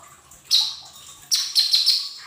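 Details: Cage-bird training recording of a lesser green leafbird: a sustained high whistle followed by a longer warbled phrase with quick pulses, bright and piercing, over a quiet background hum.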